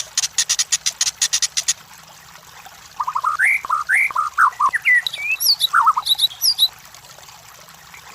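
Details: Lure song of a White-rumped shama for competition birds: a rapid series of harsh clicking notes, a pause, then climbing whistled phrases and high, sharp notes.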